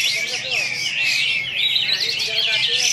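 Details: A champion bulbul at a bird-song competition launch in Singkawang sings a fast, continuous stream of high, twittering and chattering phrases, with other birds singing alongside in a busy chorus.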